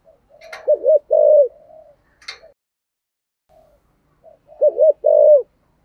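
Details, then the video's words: Spotted dove calling in the 'giọng thổ' voice style, a bird whose voice is said to suit decoy use. Two clustered bursts of low, hollow, rolling coos separated by a quiet gap, with a few faint soft notes and clicks between. "Tiếng cu gáy giọng thổ gáy gọi Hai Hậu giọng hay và hạp bổi"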